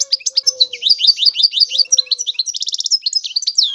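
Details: European goldfinch delivering a quick run of bright, high twittering notes, broken by a short nasal buzz before the chattering resumes.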